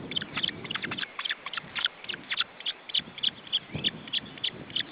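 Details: Osprey nest in Estonia, June 2012, with chicks being fed: sharp high piping notes repeated roughly three times a second in a continuous train, with soft low thumps and rustles beneath.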